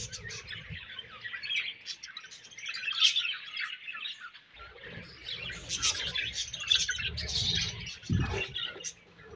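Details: Budgerigars chattering in a flock, high warbling chirps and squeaky notes run together, briefly thinning near the middle, then rising again with low rumbling background noise.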